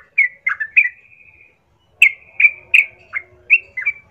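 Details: A sooty-headed bulbul calls as a fighting lure: a few bubbly whistles trailing into a thin, level held note, a pause, then a string of separate bright, clipped whistled notes.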